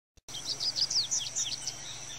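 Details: Variable seedeater, known locally as coleiro, singing: a rapid string of high, thin twittering notes with quick up-and-down slurs, delivered continuously over a steady high background tone.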